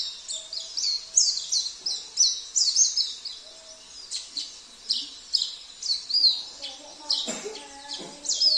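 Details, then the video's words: Sambas oriental white-eye song with borrowed phrases from canary, cililin, kapas tembak and jenggot. Bright, piercing rising whistles and twitters pulse in regular bursts. A low hum and a brief voice appear near the end. "Terapi Pleci - Isian Mewah ( KENARI , CILILIN , KAPAS TEMBAK , JENGGOT )"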